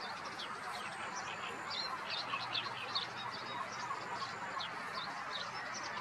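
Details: Common terns at a gravel pit in Blato, Zagreb, Croatia, on 26 May 2022, giving short, sharp, high chirping calls in a busy, overlapping stream, about two or three a second, over steady hiss.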